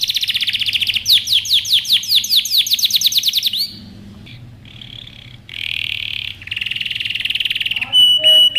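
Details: Canary (Serinus canaria) training song: a varied song of bright trills and rapid repeated downward-sweeping notes, with high buzzy rolls and a few sharp whistles.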